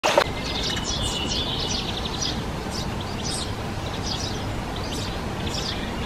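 Eurasian tree sparrow giving short, bright chirps in loose bursts every half second or so, over a steady low rumble of distant traffic or wind.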